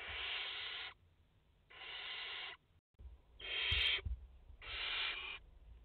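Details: Nest of a barn owl mother with four chicks in France, filmed live 30 August 2021; four raspy, breathy hisses under a second each, one brief dropout, and faint thuds from the birds moving.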